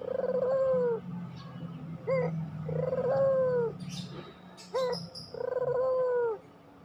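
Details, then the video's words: Pelung puter dove lure song: long low coos alternate with short upward notes roughly every two and a half seconds. A steady low hum runs underneath, and brief high chirps from other birds break in. "masteran puter pelung, 100% AMPUH pikat PUTER MALES BUNYI JADI GACOR MANGGUNG, PANCINGAN PUTER"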